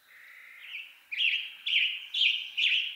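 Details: Western tanager singing in western North America: a run of hoarse, burry, robin-like phrases, each about half a second long, coming roughly twice per second, with a quiet background.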